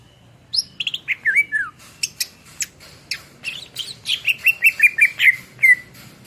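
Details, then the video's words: Greater green leafbird (cucak ijo) in vigorous song, used to teach songbirds: high sweeping whistles and twisting notes, scattered sharp clicks, then an accelerating run of short repeated chirps ending in a slurred whistle. "SUARA MASTERAN CUCAK IJO GACOR"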